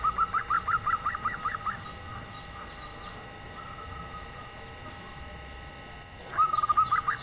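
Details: Nyelir-type call of a local female zebra dove meant to entice reluctant males: a rapid burst of roughly ten short, even notes, a long quiet gap with distant faint chirps, then the string begins again.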